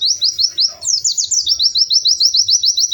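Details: Melodious, lively white-eye song: an unbroken, fast, high trill of repeated slurred notes, briefly shifting pitch near the first second before steadying again.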